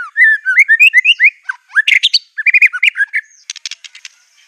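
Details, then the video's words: White-rumped shama in fierce, aggressive song studded with imitations of canary, cililin, cungkok and LB kapas; rapid run of rising whistled slurs near the middle range, then sharper high notes and a closing burst of dry rapid clicks. "MURAI BIRD SINGING NGAMUK NEMBAK MATERI SANGAR | KENARI CILILIN CUNGKOK LB KAPAS TEMBAK"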